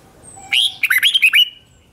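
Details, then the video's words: Red-whiskered bulbul, newly caught, in combative song aimed at provoking rivals: one brisk phrase of a slurred opening note followed by five quick, bright, bouncing whistled notes, with a faint thin whistle before it. "Kích Chào Mào Hót Ché/ Kích Chào Mào Bổi Hót Đấu Mới Nhất"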